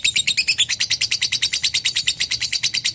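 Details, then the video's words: Lovebird in long ngekek chatter, steady rapid strings of harsh, high-pitched chirps repeated evenly about three times a second with no break. "SUARA BURUNG LOVEBIRD NGEKEK PANJANG"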